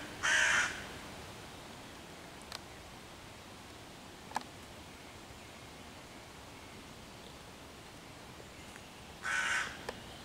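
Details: Hooded crow near five young raccoons in a tree, 11 June 2023, mobbing them; one short harsh caw at the start, a long quiet gap with faint clicks, then a second caw.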